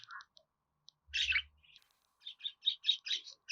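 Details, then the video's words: Budgerigar song: a few soft clicks and a low buzzy note, then a scratchy burst, ending in a quick series of bright, evenly spaced chirps. "Muhabbet Kuşu Sesi"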